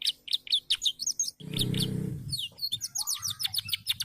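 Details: A 'gacor' canary, a constantly singing pet songbird, gives sharp high chirps, then a brief low rumbling noise interrupts, before the bird resumes with a fast, dense trill of high repeated notes.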